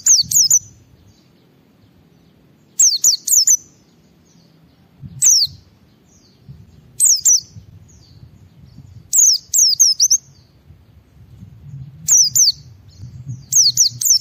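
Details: White-eye, a caged bird in ngalas singing style, played to stimulate other white-eyes to sing: short bursts of high, sharp descending whistled notes, two to four at a time, repeated every few seconds with pauses between, low background rumble.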